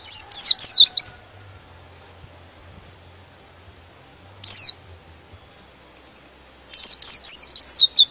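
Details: White-eye song that goads other white-eyes into singing: a short burst of high falling whistles, a lone note after a long quiet spell, then a final rapid run of about eight notes.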